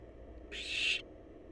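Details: Barn owl babies in a wild nest box, waiting to be fed, produce one short noisy hiss of about half a second that swells slightly toward its end before cutting off, against a quiet humming background.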